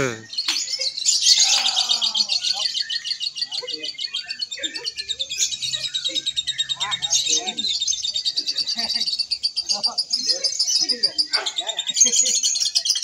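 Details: Indonesian practice bird contest, Single Fighter class, with a lovebird delivering a long unbroken stream of rapid high-pitched chattering and trilling, while people talk and other bird chirps sound underneath.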